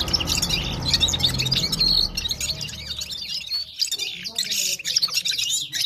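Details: Parachinar Himalayan gulsar in full song, a busy stream of high, sharp chirps and short twitters; low rumbling noise in the first half, then clearer bird notes.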